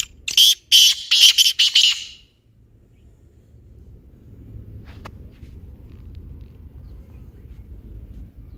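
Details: Black francolin call used to spur a silent or lazy francolin into calling: a loud, harsh, rasping phrase of rapid grating notes in the first two seconds, followed by a steady low background rumble and one faint click.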